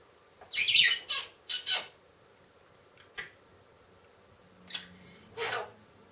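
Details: Pet female talking parrot indoors, kept with no dog in the home, giving short harsh high-pitched squawks: one loud burst, then quick fainter bursts and a final drawn-out screech, with quiet room tone between.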